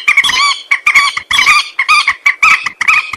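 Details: Common moorhen calls used as a hunting lure: loud harsh squawking notes with strong harmonics, uttered in quick uneven bursts separated by short gaps, with no other sounds.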